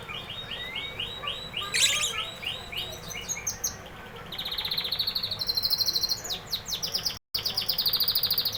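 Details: Canary singing: rapid series of repeated high whistled notes, shifting into faster trills and buzzy rolls, phrases changing every second or two, with faint background hum.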